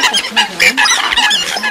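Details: Eurasian coots in a lure recording used for night net trapping in Vietnam: a short burst of overlapping nasal, honking calls with bright harmonics, several birds calling at once.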